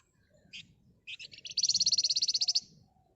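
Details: Flamboyan bird singing agitatedly in the dense ngebren style, used as a lure to provoke other birds: two short high chirps, then a fast, evenly pulsed high trill of about fifteen notes lasting roughly a second, with faint low background hum.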